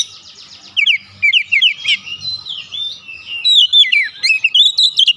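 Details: Agitated Oriental magpie-robin delivering filler song: a quick run of short descending chirps, then longer wavering whistles and scattered sharp notes.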